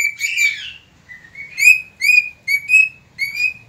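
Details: Dawn song of a cockatiel, 3 September 2019: a harsh burst followed by a soft low whistle, then four bright whistled notes rising slightly, each clearly separated.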